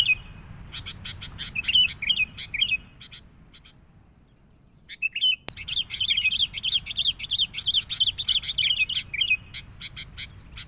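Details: Bulbul lure call, a noisy sooty-headed bulbul: rapid bright chattering chirps and wavering warbled notes, pausing briefly midway, then resuming in a dense, fast run over a faint hiss.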